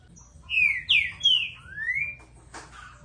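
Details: Green-winged saltator delivering three loud, quick whistled notes sliding downward, followed by a long rising whistle, then a brief soft click near the end over quiet low background hum.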